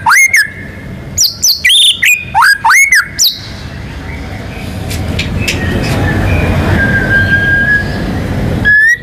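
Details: White-rumped shama in gacor song with ngerol and nembak fills, used to prompt other birds to sing. Three seconds of fast arched whistles are followed by low background rumble and one last whistled note at the end.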